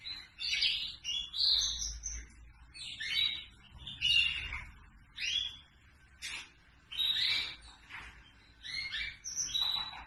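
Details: Red factor canary song made of separate bursts of chirpy, twittering phrases, each about a second long and mixing sharp whistles with fast trills, broken by brief pauses.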